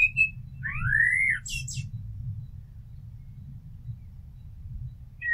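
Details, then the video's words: Common blackbird singing one rising, fluted whistled phrase that ends in a high, thin squeaky flourish, then falls silent, over a low background rumble. "Amsel Gesang - Merle Noir Chant - Blackbird Song - Mirlo Cantando"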